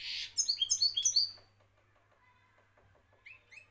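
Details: Moroccan European goldfinch delivering a quick burst of bright, high twittered notes lasting about a second, followed by quieter faint chirps, with a soft low hum in the background.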